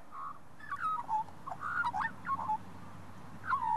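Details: In an Australian shopping centre car park, a talkative wild bird, an Australian magpie or possibly a pied currawong, gives fluty, gurgling notes that wobble and slide up and down in short bursts over a low hum.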